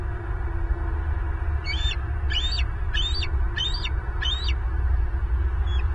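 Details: Bald eagles on a nest camera in Southwest Florida, recorded on 14 April 2023 at 09:29; a series of five thin, high chittering notes in a row, over steady loud low rumble and wind-like noise.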